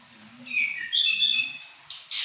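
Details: Caged pekin robin singing: warbled whistled phrases between about two and four kilohertz-range tones, sliding and slurred, followed by two short harsh bursts near the end.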